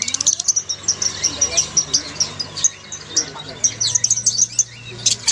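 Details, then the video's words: Many lovebirds calling together, a recording used to coax a silent lovebird into singing. Dense, shrill, high chirps and squeaks come in rapid overlapping bursts without pause, over a steady low electrical hum. "SUARA LOVEBIRD OMBYOKAN"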